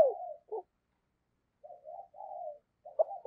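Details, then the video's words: Low, muffled coos from a deep-voiced spotted dove used as a decoy for wild doves, given in short broken bursts separated by silent pauses. "Chim Cu Mồi Gáy Gọi Và Thúc Giọng ỒM ỒM"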